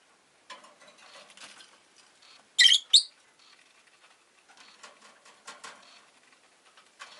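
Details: Rosy-faced lovebird, a pet bird, giving two loud, piercing shrill chirps in quick succession, set against soft scratching and faint rustling before and after.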